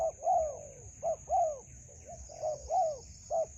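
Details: Mellow rising-and-falling coos of a spotted dove in a melaleuca grove trapping session with a decoy and a wild bird, delivered as short-long pairs with brief gaps; a constant thin high tone runs throughout.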